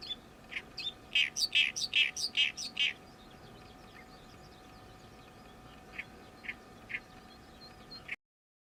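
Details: Loud, insistent Oriental reed warbler song in summer after the bird's arrival this season: a quick series of rough, buzzy, crackling notes, then a pause and several widely spaced harsh single calls.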